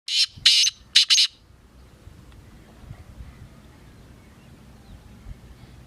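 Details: Black francolin (kala teetar) calling: four harsh, grating, buzzy notes in quick succession, the first two longer and the last two close together, followed by quiet background.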